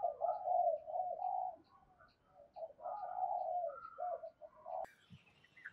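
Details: Spotted dove giving excited cooing and calling toward a rival bird: a run of low, throaty, wavering coos in uneven bursts, with a brief sharp click near the end and faint background hiss.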